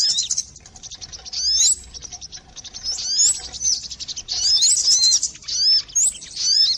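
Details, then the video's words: Lure recording of sogon birds for bird trapping: bursts of rapid, high-pitched tweets and sharp rising whistles, pausing briefly between busy stretches of overlapping chatter. "suara pikat burung sogon"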